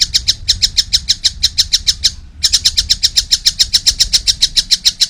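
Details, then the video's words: Harsh, grating notes from a juvenile collared kingfisher pour out in a fast, steady series of roughly four per second, broken by one short pause midway. "wow masih kecil udah gacor , anakan burung tengkek buto"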